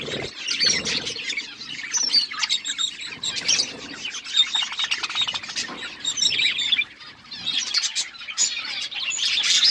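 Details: Many colourful budgies kept as pets, chirping: a steady wash of high warbled chatter and squeaky notes, swelling and fading, with occasional wing flutters.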